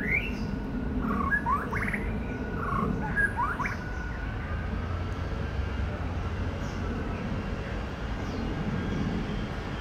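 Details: Male white-rumped shama mimicking other birds among trees: a burst of rising whistles and rapid warbled notes in the first few seconds, then mostly low rumbling background noise with faint distant calls.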